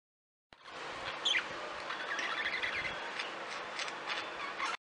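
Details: Caged pet parakeets chirp and chatter in quick, scratchy bursts, with brief high squeaky notes tumbling over one another at an uneven pace; parakeet.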